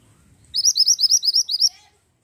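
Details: ['Pied bushchat singing actively: about nine shrill, upslurred whistles delivered evenly in a one-second burst. Soft low murmur comes beforehand, and a short lower note follows.']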